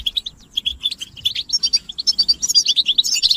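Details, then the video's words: Group chatter of European goldfinches, mating and readiness calls meant to make males sing: quick liquid chirps, sparse at first, then building into a crowded, bright twitter toward the end. "بتبتة الحسون تحفيز الحسون على التغريد والهيجان علاج صمت الحسون goldfinch stimulation"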